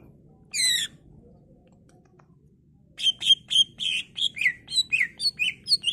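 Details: Greater green leafbird singing persistently with a full, varied repertoire, used as a lure so other leafbirds reply and sing: a brief chirp burst, a pause, then a rapid run of sharp downslurred chirps about four per second.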